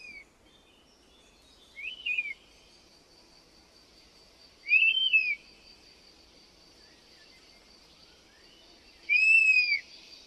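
European honey buzzard giving three plaintive, whistled calls that rise and fall, a few seconds apart, over a steady high insect drone.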